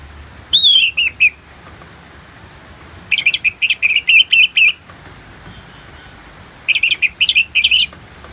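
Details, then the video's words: Ngeplong singing by an Orange-headed thrush, used as therapy alongside natural rain: three separate bursts of quick, evenly spaced whistled and chattering notes, six to eight per burst, with steady hiss between them. "Terapi ANIS MERAH Ngeplong dan Suara Hujan ALAMI || Adem dan Tenang Nyaut Pasti Joss"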